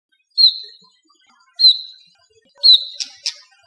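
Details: Brown rock chat, also called Indian chat, in Rajasthan, India: three clear whistled notes about a second apart, each a short sharp onset sliding into a level, fading tone, followed by two quick clicking ticks in a quiet setting.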